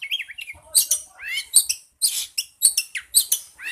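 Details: Oriental magpie-robin song to provoke a kept bird into answering: short sharp high notes and rising slurred whistles in uneven bursts, with gaps between phrases.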